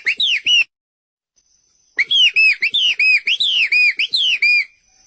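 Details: White-rumped shama (murai batu) in full isian masteran song: a short burst of three bright whistled notes, a pause, then a fast run of looping, arched whistles repeated about four per second, with a faint steady high tone behind.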